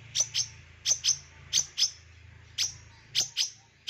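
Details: Long-tailed shrike lure sound full of mimicked elements, aimed at young wild-caught forest birds: piercing, very high chips given in pairs about every half second over a low background hum.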